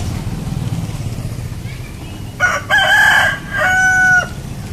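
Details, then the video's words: A rooster gives one full crow after a quiet start with low rumbling noise: a loud, harsh call rising into a held note and ending in a falling tail. "Rooster Crowing | Real Rooster Crowing Sound Effect"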